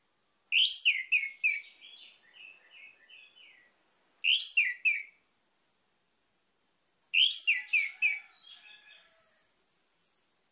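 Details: Song of an orange-headed thrush as a lure for a bird that has gone quiet: the same bright descending phrase of sharp whistled notes repeated three times, about three seconds apart, sometimes tailing into softer twitters.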